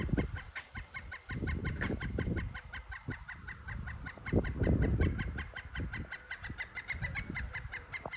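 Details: A Pileated Woodpecker in the Florida Everglades on Christmas Eve gives a long, even series of loud clucking 'kuk' notes, about three per second, over low rumbling wind or handling noise.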